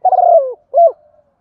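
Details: Decoy spotted dove calling and cooing: a low, husky coo that slides downward, then a shorter second coo with a faint trailing tail, in a quiet setting.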